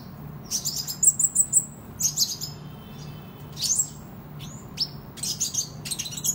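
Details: Lively kolibri ninja sunbird song for contest and tutoring: a quick series of four bright high ticks, then scattered thin slurred notes and sharp single chirps separated by short gaps, with a faint hum.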